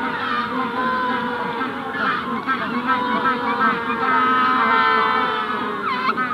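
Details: Magellanic penguin adults calling close up at the hatching stage, with the wider colony in the distance at Punta Tombo; dense overlapping harmonic braying and honking voices fill the whole stretch, rising at the end.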